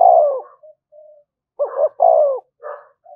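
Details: Short burst of spotted dove 'thúc gù' lure cooing. An opening falling coo, faint soft notes, then a double hoot and a longer coo, ending with a hazy softer note.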